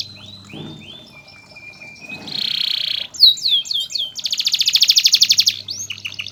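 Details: Canary master song for tutoring: soft thin whistles and a held tone, a harsh buzzy burst, looping swept notes, then a loud fast pulsed trill and a few final chirps, with low hum behind.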